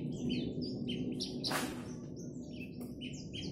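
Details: Javan bush lark, a caged bird set out in the sun and about to sing, delivering a varied run of short high whistled and chirped phrases over steady low background hum, with a brief loud rasping burst midway.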